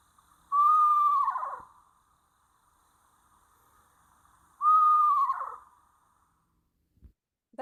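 Two quavering Eastern Screech-Owl whinnies about four seconds apart, each a wavering whistle that holds steady, then drops in pitch and trails off like a tiny horse.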